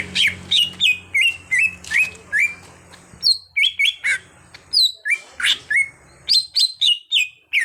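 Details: Untrained caged green leafbird in training to sing profusely, delivering a fast series of sharp chirped notes, roughly three per second, pausing briefly and then resuming with rising whistles over faint low humming.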